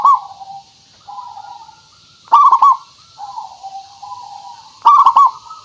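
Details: Local zebra dove (perkutut) song used as a lure to make other doves answer: loud stuttering cooed phrases about every two and a half seconds, with softer trailing coos from other doves filling the gaps.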